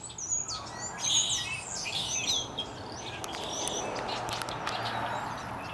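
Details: Chorus of small birds in a maple tree ahead of a coming storm, cloudy early afternoon near Victoria, British Columbia; busy high chirping and twittering in the first seconds, then sparse clicks over steady low noise.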